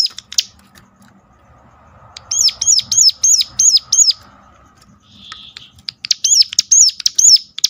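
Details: Piercing arched notes from a Sunda warbler, a call meant to coax other birds of its kind into song, come in two rapid bursts of five or six, with a soft hum in between.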